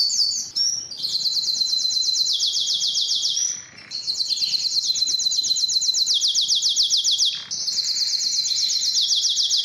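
A Timbrado canary sings long, fast, metallic rolled trills, high and nearly continuous, with brief pauses as it switches to new trill phrases.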